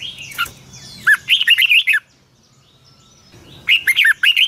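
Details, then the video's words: Morning song of a red-whiskered bulbul in the long double twisted style, played to train other birds: a short note followed by two lively phrases of quick, looping whistled notes with a silent gap between them. "Luyện chào mào hót sáng 2020, Giọng kép xoắn dài Quá hay"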